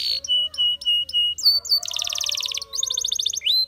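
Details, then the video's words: Clear piping whistles repeated five times by a Spanish Timbrado canary, then rising slurs and two bursts of rapid, metallic rattling trill. "Spectacular Spanish Timbrado Canary, This Canary Invites All Birds to Sing"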